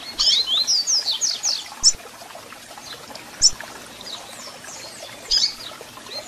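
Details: Double-collared seedeater song with sharp chirps, for firing up a captive bird: a quick series of high, slurred whistled notes at the start, then isolated chirps roughly every one to two seconds and a short closing flourish.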